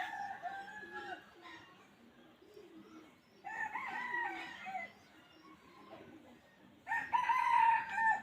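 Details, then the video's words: Two distant wild chicken crows, each a hoarse drawn-out phrase, come about three seconds apart over a quiet rustling background. The bird is recorded for luring chickens into a trap. "suab qaib qus qua zoo tiag2 li"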